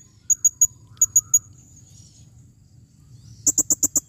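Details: Female blue-crowned hanging parrot calling, 2021: sharp, very high chips in groups of three, a pause, then a steady series of six clipped high notes about every tenth of a second.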